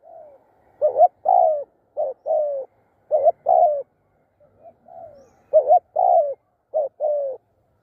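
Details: Spotted dove used in decoy trapping, cooing in clear repeated phrases: a short hiccuping note followed by a longer, downslurred coo, the pairs given in bursts with brief pauses and a few softer coos between.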